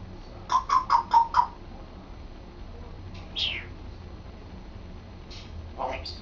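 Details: African grey parrot, male pet, practising talking: five quick rhythmic syllables repeated about every quarter second, followed by scattered softer speech-like and whistled sounds in a quiet room.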